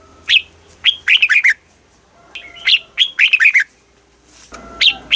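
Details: Red-whiskered bulbul from Thailand singing a southern master-style song used to excite caged birds and train youngsters: short, liquid whistled phrases of four to six warbling notes, repeated about every two seconds.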